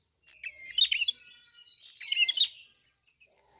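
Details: Red-fronted prinia in full song: a busy phrase of thin, high squeaks and twitters, a softer pause, another bright burst, then scattered faint chips.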